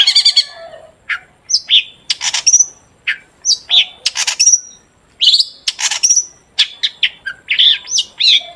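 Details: Long-tailed shrike in lively 'gacor' song, used as a lure to make shrikes sing: a rapid, varied stream of harsh rasping bursts, sharp chips and high whistled notes, almost continuous with only short pauses.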